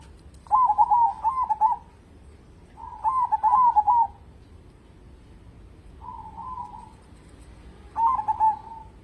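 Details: Local zebra dove singing eagerly, used as a lure for other birds: loud rapid stuttering coo phrases, each about one to one and a half seconds long, separated by pauses and one softer smooth coo.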